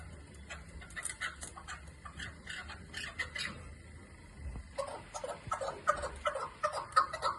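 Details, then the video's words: Hunting chukar partridge calling: scattered sharp clucks at first, then from midway a quicker, louder burst of harsh chuckling notes, with a constant low hum behind. "shekari chakor Voice best keklik Sesi sounds"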